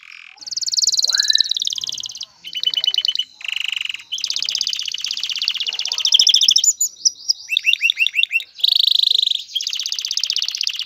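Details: Male canary singing to prepare a female for breeding and nest building, a long varied song of buzzy rolls, rapid trills and quick slurred notes strung together with short pauses.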